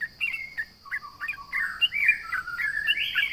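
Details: Sooty-headed bulbul, singing hard to goad rivals, delivers a few clipped chirps followed by a flowing, gliding warble that rises and falls, building in loudness; a faint constant high hum persists.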